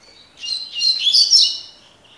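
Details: Double-collared seedeater singing in the tui tui (tocó) song style: a rapid burst of bright, buzzy chirps and warbled notes lasting about a second and a half, rising and falling, over a quiet background.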